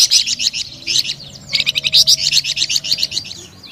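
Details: Flamboyan bird pouring out a melodious, lively string of quick, bright chirps, with a short gap before a louder repeated series.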